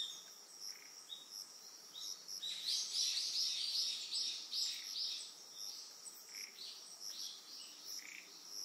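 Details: High, sharp chirps from an Eastern yellow wagtail on Amami Oshima in Japan, rattled off rapidly around two a second in a loud central run, fading to softer spaced notes, with constant high-pitched insect buzzing behind.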